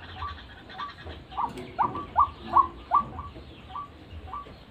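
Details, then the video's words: White-breasted waterhen calling as a bird lure: a quick series of short, clipped notes with a rising upturn, repeated about two to three times a second and peaking in loudness midway. A low background rumble runs underneath. "RUAK RUAK GACORAN"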